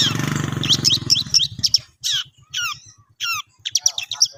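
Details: Long-tailed shrike, locally cendet, learning to sing: after a low buzzing start, separate downward-sweeping whistles and harsh chirps come at uneven intervals, with faint regular low pulses in the background.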